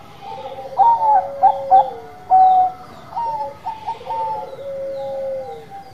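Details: Zebra dove of the Bangkok type in full song, stuttering clipped notes breaking into drawn-out, softly trilling coos that droop at the end, repeated twice within a few seconds.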